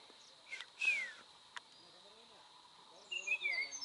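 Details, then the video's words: Common iora in Gir Forest National Park, Gujarat, India: two clear whistled notes sliding downward, the second a wavering descending whistle, with faint background bird chatter and a steady insect hum. "Common Iora"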